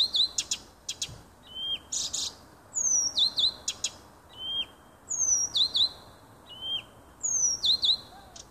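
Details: Nightingale singing in a small wood near a home on 30 June 2015: high whistled phrases with sharp upward-hooked notes and clicking bursts, the same phrase returning roughly every two seconds over a faint low hum.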